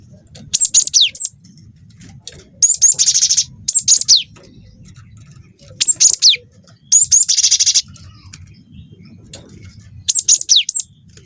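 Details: Young cinereous tit singing persistently in a long rolling style: short bursts of very high, thin trilled notes and steep falling whistles, each burst about half a second to a second, separated by quiet gaps over faint low hum.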